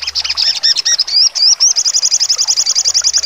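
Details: Sogon bird sings trotol with sharp shooting notes: a brief burst of high chips and slurred rising whistles, then a fast, evenly spaced trill of piercing notes to the end.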